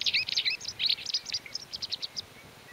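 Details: White wagtail recorded in May 2019 in the mountains of León, Spain: a quick twittering series of sharp high chirps, first jumbled, then spaced, evenly repeated notes fading out.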